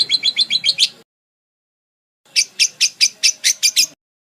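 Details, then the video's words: Budgerigar chirp variation for tutoring songbirds: a quick burst of seven high chirps, then silence. A second, slightly slower burst of sharp, clipped notes follows. "Suara Kicau Burung Parkit Berbagai Variasi Untuk Masteran atau Pancingan"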